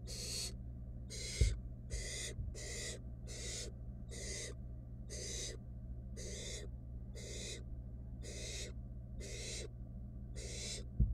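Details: Nest box of wild barn owls where a nestling steals a rat from its sibling unable to swallow it; a long run of short breathy screeches, several per second, with a couple of sharp knocks and a low hum.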